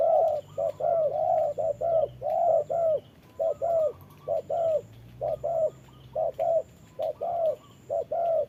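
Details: Decoy spotted dove in a trap, sparring with a wild dove during rain: rapid series of low, soft coos about once a second in irregular clusters, over a faint constant high hum.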